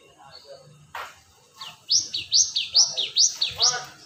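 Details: Cinereous tit (gelatik batu) calling, a lure sound for attracting birds: after faint scattered chirps, loud two-part whistles start, a high downslurred note dropping into a lower one, repeated briskly about twice a second.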